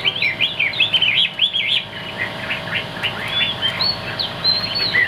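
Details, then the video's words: Chinese hwamei, Vietnamese cage bird, pours out rapid looping whistles, dense at first, then a slightly softer stretch of varied slurred notes with occasional higher sweeps. "Bộ khủng hót cực tốt, đuôi lá vả, hót cao cầu | Họat Họa Mi"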